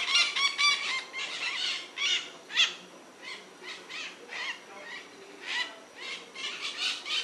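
White-eyed parakeets give harsh, grating screeches in quick, uneven bursts of about two per second, with several calls overlapping.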